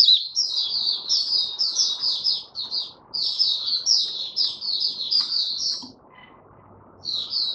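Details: Opening song of a male white-eye (Mata Puteh), dated 08012022: a fast, continuous stream of high chirped notes for about six seconds, a pause, then a few more notes over steady low background hiss.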